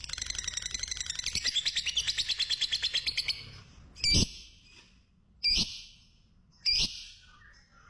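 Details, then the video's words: Fighter-class lovebird chattering to stimulate other lovebirds: three seconds of fast shrill trilling, followed by three separate harsh, screechy bursts spaced more than a second apart. "Suara Pancingan Burung Lovebird Fighter Ngekek Panjang"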